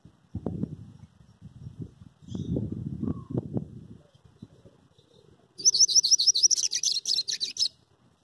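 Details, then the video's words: Saffron finch singing while held in a hand: low rustling and handling noise, then a two-second burst of rapid, high, sharp chirped notes repeated evenly, about eight per second, ending abruptly. "cabecita saladillo cantando en la mano"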